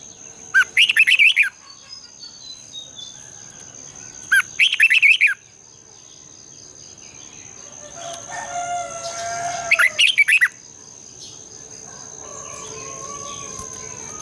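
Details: Red-whiskered bulbul morning song used for training: three bursts of rapid warbled notes about four seconds apart, with some faint softer tones in between and a steady high whine throughout.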